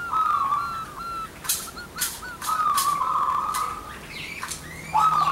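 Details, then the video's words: Zebra doves, local birds of both sexes answering one another for use as a lure, give sustained rolling coos broken by sharp clicking or flapping bursts, then a fresh loud trilled phrase at the close. "PERKUTUT LOKAL GACOR COCOK UNTUK PANCINGAN"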